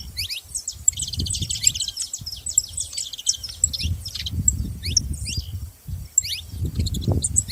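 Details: Dense high chirping and rapid trills from several saffron finches sit over steady low rumbling background noise throughout.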